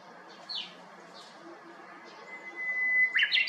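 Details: Japanese bush warbler atop a cypress by an empty house next door, 7 May 2021: after scattered faint chirps of other birds, a thin level whistle rises in loudness and ends in a fast, loud, tumbling flourish.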